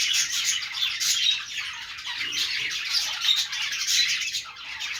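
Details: Budgerigars chattering: a dense, continuous mix of scratchy warbles, squeaky chirps and short squawks from several overlapping birds, fading slightly toward the end.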